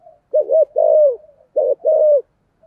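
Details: Decoy spotted dove with thổ-style cooing for attracting wild doves: two close phrases of deep, hollow coos, each a short rounded note leading into a longer drawn, slightly falling coo.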